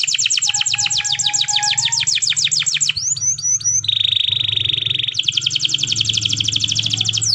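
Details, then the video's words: Canary singing in the morning, used as a pancingan to prompt other canaries to sing: loud, fast rattling trills, a brief steady low whistle, sweeping buzzy notes, then a sustained rolling buzz and another rapid trill. "PANCINGAN KENARI PAGI HARI EFEKTIF"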